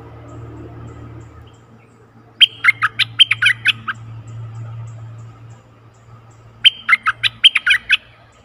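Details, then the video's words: Decoy bulbul luring a very old wild bird, recorded 11 August 2021; two separate bursts of fast, chattering, bubbling whistled phrases a few seconds apart, with low rumbling hum between. "เสียงต่อนกดอกแตงEp.69 เชลยไม่ธรรมดา(แก่มาก) Burung merbah kuing gacor"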